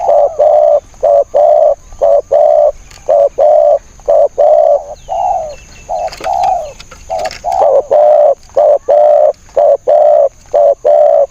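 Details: Spotted dove used as a decoy to lure wild birds, giving steady, mellow low coos repeated about once a second, with a few longer, wavering notes in the middle and a faint high background hiss.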